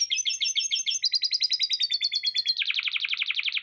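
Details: Canary singing prolifically, its song filled with lovebird-style chatter: fast high rattling trills of rapid repeated notes, shifting pace around one and 2.5 seconds into a quicker, denser buzzing run. Nothing else is heard.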